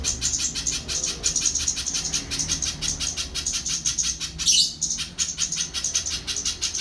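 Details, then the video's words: Rapid series of high, clipped chips from a little spiderhunter, repeated evenly, broken briefly by a louder, harsh burst midway before the steady chipping resumes. "Burung Pijantung Pisang || Tengkek buto mini"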